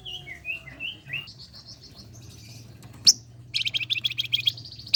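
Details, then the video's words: Flame-breasted flowerpecker in full song for training competition birds: a few short whistled slurs and thin high notes lead into a sharp click, then a quick high staccato trill, with faint low hum behind. "Flamboyan Gacor !! Pancingan AMPUH Buat Burung Gantangan."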